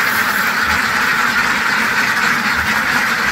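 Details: A flock of ducks quacks without pause, a thick wall of overlapping nasal calls with rapid rhythmic pulses running through it.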